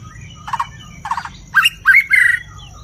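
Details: White-rumped shama singing loudly with many voices: two short harsh rattling bursts, then a quick set of squeaky, rising notes and a rich warbled phrase, over a faint steady background hiss.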